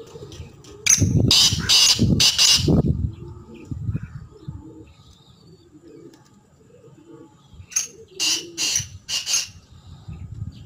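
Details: Black francolin calling twice: two phrases of three to four loud, scratchy, grating notes several seconds apart, with low rumbling noise.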